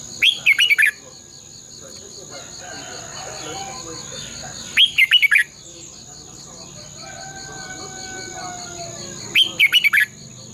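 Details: Red-whiskered bulbul morning decoy song for training caged birds, long twisted double-voice style: three short bursts of sharp chirped notes, about four seconds apart, over a faint pulsing high background hum.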